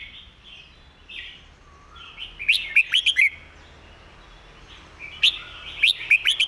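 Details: Red-whiskered bulbul singing a clear master song meant for teaching birds, two lively groups of ringing whistled notes, each four or five notes long, separated by quieter warbling.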